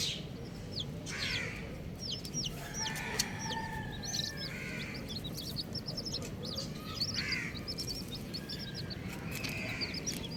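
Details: Colourful baby chicks peep in short, high, falling notes in dense clusters, with occasional lower soft chirrs and knocks over a steady low hum.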